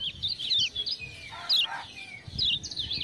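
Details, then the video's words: Kecial kuning, the Lemon-bellied white-eye of Lombok, kept as a tutor songbird and prompted by ciak-ciak sounds; short high warbled phrases with a brief harsher burst in the middle, over low background rumble. "Kecial Kuning joss gacor"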